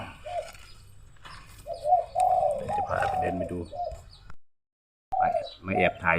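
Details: Dove cooing at home in the early afternoon in hot weather: a short coo, then a longer run of low, mellow notes, followed by a break and noisy, broadband sounds near the end.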